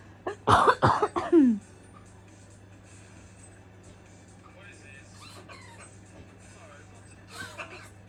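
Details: A macaw swearing gives a loud, harsh burst of speech-like syllables over about a second, then falls quiet apart from faint later chatter over a steady low hum.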